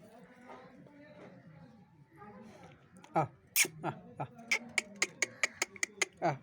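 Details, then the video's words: Angry parrot chattering in a rapid train of short, sharp clicking notes, roughly a dozen in quick succession, after a quieter muffled stretch. "cute angry parrots Talking गुस्सा वाला मिट्ठू"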